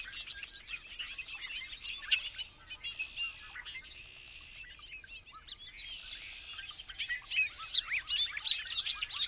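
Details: Bobolink, a blackbird-family bird, pouring out a long, effervescent babbling song of tinkling, buzzy and metallic notes in two rushing bursts, the second louder and higher toward the end.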